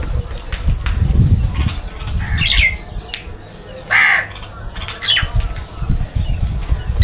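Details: Group of crows feeding together, with a single hoarse, drawn-out caw standing out amid scattered shorter squawks and a persistent low-pitched rumbling background.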